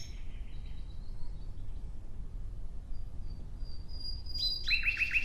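Nightingale song: thin, high whistled notes, then a quick burst of four or five rapid repeated chirps near the end, over a low background rumble.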